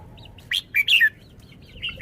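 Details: Red-whiskered bulbul phrase: a crisp trio of loud whistled notes, the last sliding down, then a brief pause and softer rising chirps.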